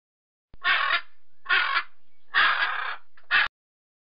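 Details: Parrot talking in four loud, broadband, grating syllables spaced roughly a second apart, the third longest and the last short and clipped, against complete silence.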